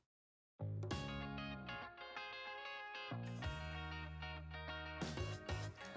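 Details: Distorted electric guitar chords ring out after a short silent opening, and no animal is heard.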